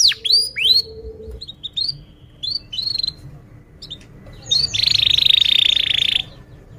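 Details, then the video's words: Canary lure song meant to teach young canaries: scattered looping whistled notes with gaps, then a dense rolling trill lasting about one and a half seconds. "kenari gacor panjang Cuit Cuit EMOSI, Pancingan Kenari Paud Belajar Bunyi"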